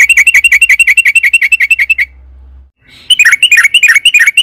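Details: Yellow-vented bulbul in long-rolling song, played to spur caged birds into singing: a fast string of crisp repeated chirps, a short silent gap, then another quick burst of bubbly, slightly rising notes.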